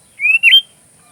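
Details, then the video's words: Sooty-headed bulbul (kutilang), recorded as a tutor song for magpie robins, gives one drawn-out whistle that holds level, briefly breaks, then climbs into a brighter upslurred end. "suara kutilang isian Kacer"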